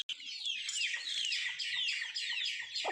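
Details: Native chickens eating: loud, tightly packed high peeps gliding downward, nearly continuous over three seconds, a faint low thump at the close.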